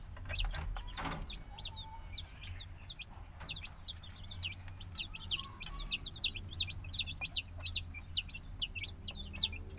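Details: Black domestic chicks hatched a few days earlier, noisy and still needing the mother's warmth, give a dense run of high, downward-sliding peeps, several per second, over low rumbling background noise and one sharp knock near the start.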